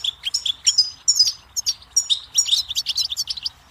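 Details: A lively goldfinch song: fast jumbled chirps, twitters and short trills at a high pitch, delivered in an unbroken stream, with soft low background hum beneath.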